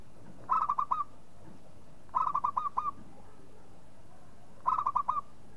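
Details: Three spaced phrases from a local zebra dove, each a fast stutter of four or five soft coo notes, repeated roughly every two seconds against low background rumble.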